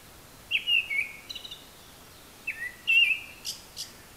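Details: A Japanese thrush sings high overhead, apparently copying other birds' calls. It gives two fluid whistled phrases, each a slurred warble that drops at the end. Faint high ticks follow the second phrase.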